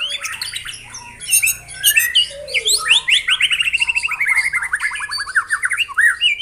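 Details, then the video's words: White-rumped shama singing a dense 'tembakan rapat' (rapid-fire) phrase: varied swooping and chattering notes, then a steady run of about twenty quick, clipped, upward-flicked notes sliding slightly lower before a final rising note. "Tembakan Rapat Burung Murai Batu"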